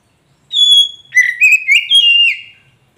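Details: Magpie robin of the poci variety, played to get a silent caged bird singing: one long steady whistle, then a string of quick, varied, sliding whistled notes fading at the end.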